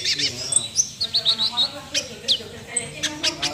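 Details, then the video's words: High twittering sunbird song in the 'nembak' style, with quick upward chirps, a few thin whistled notes and bursts of sharp clicks. "Kolibri suara nembak full"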